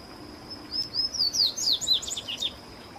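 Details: Song of a Bahia seedeater, a rapid run of high whistled notes that begins with slurred rising and falling whistles and speeds into a twittering, jumbled flourish before ending, over a constant thin high background tone.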